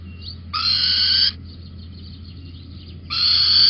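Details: A little owl perched on a beam in Holten, 19 May 2020, gives two drawn-out, harsh, mewing calls about two and a half seconds apart, each held for under a second, over a faint low hum.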